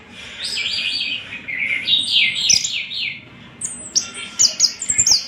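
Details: Orange-headed thrush giving a run of slurred, warbling notes followed by high, clipped whistles, over a light background hiss.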